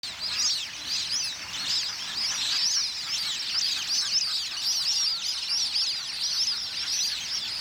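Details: Plumed whistling ducks fighting over territory keep up a dense, overlapping chorus of shrill, twittering whistles, many voices calling at once without pause.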